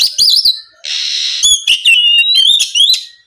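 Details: Oriental magpie-robin song for provoking rival birds: a quick wavering whistle, then a sustained harsh buzzy note, followed by long upslurred clear whistles.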